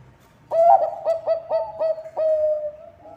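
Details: Bangkok-type zebra dove singing actively, its song used as a lure to get other doves to sing; an opening coo followed by a run of about six short, evenly spaced clipped notes, then a long level coo, all mid-pitched and clear.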